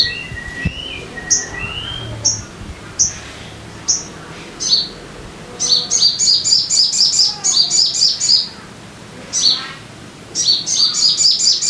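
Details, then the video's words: Lure recording of a sogon bird to set caged birds singing: sliding whistles and spaced sharp chirps build into fast bursts of high, repeated chirping notes, several per second. "Pancingan Suara Burung Sogon Biar Cepat Gacor"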